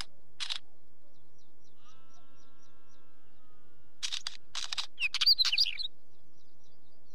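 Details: Wheatear giving short harsh rasping bursts and then a scratchy chattering phrase of quick squeaky notes, with a single faint whistled slide and a short rasp at the start.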